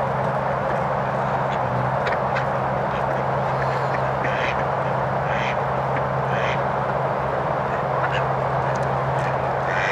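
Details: A few mallards at Millers Pond, Hardwick Hall, on 6 December 2023 give scattered nasal quacks in short bursts, half-buried under a steady wash of wind-like noise and a low constant hum.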